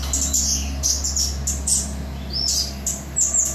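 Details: Flowerpecker from Samarinda, Indonesia, known locally as cabai gunung; sharp high chips and thin slurred whistles about once a second, one clearer rising-falling sweep near the middle, over a constant low electrical hum.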